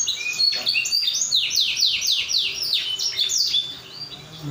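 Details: Canary song played to prompt other canaries to sing: a rapid, high series of descending sweeping trills, repeated several times per second, with twittering phrases mixed in and a faint low background hum.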